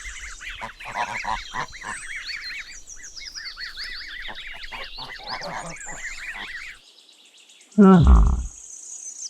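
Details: Goslings, young geese, giving many overlapping high, arched peeping calls for about seven seconds, with swooping whistled effects above, then a short loud low burst near the end.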